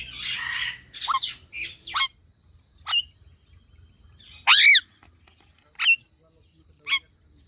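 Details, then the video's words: Parrot giving a handful of separate harsh, rising and falling squawks spaced about a second apart, with quiet gaps between them and a low steady hum beneath. "Parrot talking videos | Tanking Parrot Nutural bird | Parrot Sound Compilon"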